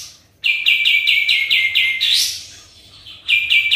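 A sooty-headed bulbul sings a quick run of about eight bright, downslurred notes, then a rising and falling phrase, and resumes the run.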